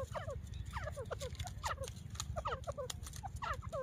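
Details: Hunting call of a female grey francolin from Layyah in Pakistan's Punjab: quieter clusters of short downslurred notes in uneven bursts, partly masked by a strong low rumbling hum.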